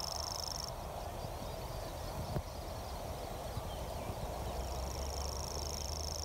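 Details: An enthusiastic, close common grasshopper warbler at Luss, Loch Lomond, recorded during a black grouse survey late in the season, reels a thin, very high, insect-like trill on one pitch, stopping after a second and resuming near the end, over wind and low rumble.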